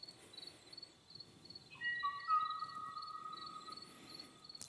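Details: Kauai ʻōʻō, a recording made in 1987, the last time the species was recorded; no one has seen or heard it since. Pure, flute-like whistled notes, each held steady, over rapid insect-like ticking and soft hiss.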